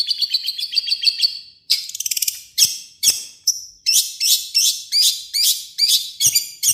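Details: Energetic harsh song of a Long-tailed shrike, played to make other shrikes respond: a rapid pulsed trill, then a string of loud buzzy, scratchy notes roughly twice per second with short gaps.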